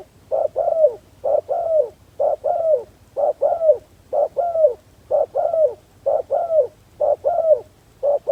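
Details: A spotted dove kept as a decoy to attract wild doves calls steadily. Its low, throaty coo phrases come as paired and triple notes about once a second, in a very even rhythm over a quiet background.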